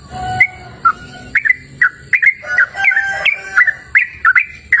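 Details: Melodious sooty-headed bulbul song in open natural surroundings, with clear whistled notes slurring up and down in short bursts, spaced irregularly, over a faint steady background hum.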